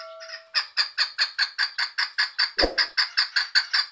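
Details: Female chukar partridge giving a long run of rapid, even, clucking chuk notes, about seventeen in sequence, after a brief steady tone at the start, with one low thump partway through.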